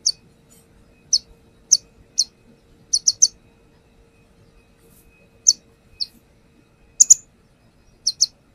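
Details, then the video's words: Brown-throated sunbird used as a lure recording: sharp, very high, thin chips in short bursts, sometimes doubled, about a dozen notes spaced irregularly over several seconds against an otherwise quiet background. "AKSI KONIN NAGEN BONGKAR ISIAN | Pancingan konin"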